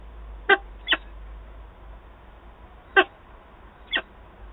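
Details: Peregrine falcon, nest in Wałbrzych, Poland, 8 August 2022, birds meeting at the nest: two pairs of short, hoarse notes, each pair about half a second apart, with a pause of two seconds between them.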